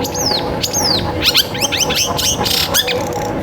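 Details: Long-tailed shrike song meant to prompt other shrikes into singing: two high, falling whistled slurs, then a rapid run of short, scratchy zig-zag notes over a constant hiss.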